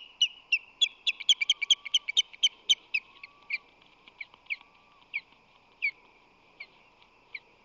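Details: Osprey at a nest in the San Francisco Bay area in March, the male flying in with fish and rushing to defend the nest; sharp high chirps come quickly at first, then slow to spaced single notes over a steady hum.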